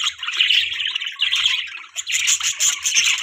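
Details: Budgerigar parents feeding their chick in the morning: dense, continuous high chattering and chirping from several birds.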